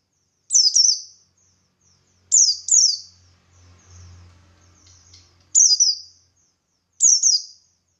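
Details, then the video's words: Buxtoni white-eye singing as a lure to provoke other white-eyes into answering: four bursts of high, quick, downslurred twittering notes spaced about one and a half seconds apart, over a faint low hum in the middle. "Burung Pleci Buxtoni Gacor Ngalas Memancing Emosi Paling Ampuh"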